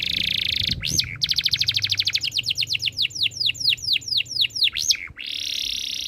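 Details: Canary singing: a buzzing trill, then a long accelerating series of crisp descending whistled notes, roughly four to six per second, ending in a renewed buzzy roll.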